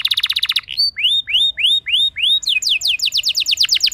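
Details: Canary song used as a lure to prompt other canaries to sing: a quick trill, then a run of five slurred rising whistles, then rapid descending sweeps repeated about three per second.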